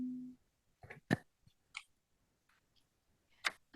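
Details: Indoor clicks, taps and brief fragments of a voice in a quiet room, with a short low tone at the start and no animal sound.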